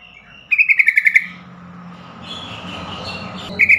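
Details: Yellow-vented bulbul call for prompting other bulbuls and stressed captive birds to call: a fast, harsh chatter of eight pulses, a stretch of soft twittering, then another chatter beginning at the end.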